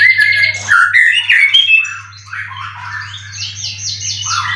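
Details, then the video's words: Competition white-rumped shama, caged, with three moults and twelve wins, in Indonesia, singing loud fluty whistles and slurred phrases, then a softer run of fast repeated high trills, over a low background hum. "Burung Murai prestasian udh kondisi 90% materi full clilin siap turun Lg!"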